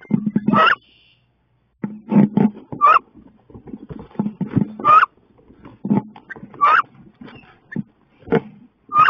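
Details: Wood duck females fighting in a nest box, 16 May: continuous low thumping and scuffling, with repeated shrill rising squeals at irregular intervals, roughly every second.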